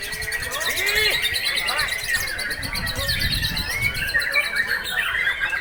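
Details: White-rumped shama breeding bird singing without pause: bright whistled slurs and short rising notes over a fast, rattling high-pitched series of repeated notes, with low voices murmuring underneath.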